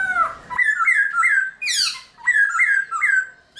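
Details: Caged Black-throated laughingthrush singing in the early morning, a training song used to excite other laughingthrushes: bright rising whistled notes repeated in quick pairs, broken by one harsh, buzzy downward squeal midway.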